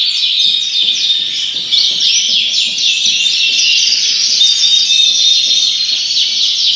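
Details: Yorkshire canaries in a breeding house give a bright, unbroken song of fast rolling trills and chirps, with swooping whistled phrases throughout.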